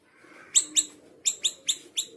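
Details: Small minivet calls out two sharp, high, ringing chirps, pauses briefly, then four more evenly spaced, each note bright and slightly falling.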